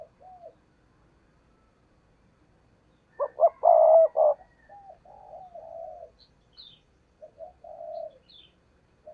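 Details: Decoy spotted dove in thúc gù cooing, kept to lure wild doves for trapping; low hollow coos in bursts, one loud throaty rolling coo sequence mid-way, then softer repeated coos, with a few thin high chirps.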